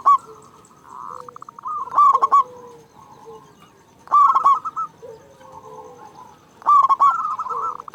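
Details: Local Zebra Dove with a big voice, used to prompt caged doves to call: three loud staccato cooing phrases, each followed by a buzzy purring trill, repeat about every two and a half seconds over steady background cooing from other doves.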